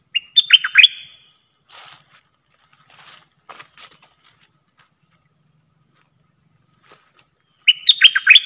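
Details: Caged red-whiskered bulbul used as a decoy bird for trapping, singing in the dok taeng style: a short burst of bright, bubbly whistled notes descending in quick steps, then a pause with faint ticks and a repeat of the phrase at the end.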